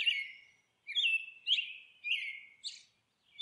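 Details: Nesting monk parakeet: four or five drawn-out grating squawks, each sliding down and trailing off, separated by short silences and ending with a sharper high note.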